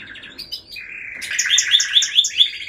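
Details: Singing canary: quick mixed notes, a low rolling trill, then a rhythmic series of loud, bright, chirping phrases repeated about five times per second.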